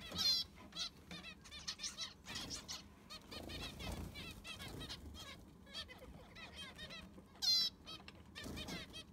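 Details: Zebra finches in an aviary while it is cleaned and fresh sand is put in: many short nasal high calls, repeated and overlapping, with wing flaps and scraping noises of cleaning.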